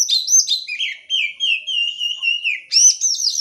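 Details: Lure song of an oriental magpie-robin, meant to get silent birds singing: quick high slurred whistles leading into a long, steady, slightly wavering trill, then a sudden return to bright chirped whistles.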